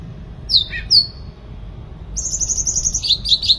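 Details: Sooty-headed bulbul singing vigorously: two sharp, down-slurred whistled notes, then a long, high, buzzy rattling series mixed with more slurred whistles toward the end.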